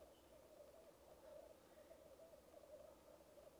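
Black grouse giving a steady, dove-like bubbling coo at the lek, a continuous low murmur pulsing gently throughout.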